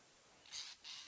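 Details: A Lilac-breasted Roller in the African bush during a sunrise safari drive on August 7, 2016, gives two harsh, rasping bursts, each about a quarter second long, shouting at a Pearl-spotted Owlet, a predator.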